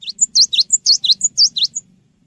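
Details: Loud, lively Cinereous tit song for luring and training birds: a fast run of about a dozen sharp high whistled notes, swinging between higher and lower pitches, then a quiet end over a faint hum.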